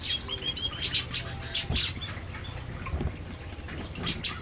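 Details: Canaries feeding in an aviary give a busy run of short high chirps and brief whistled notes, some slightly rising, mixed with soft knocks and rustling.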